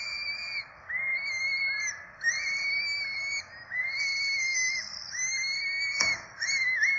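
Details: Four Peregrine falcon chicks begging while being fed at a nest in Rome, 12 April 2024: drawn-out, whistled squeals, each about a second long, rising then level, repeated with short gaps, and one sharp click near the end.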